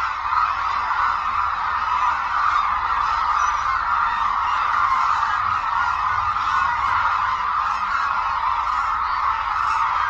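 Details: Hooded cranes flocking at Suncheon Bay wetland, a major habitat for the species, as migratory birds arrive and perform aerial displays; a dense, steady chorus of honking calls blends into one continuous wash without pauses.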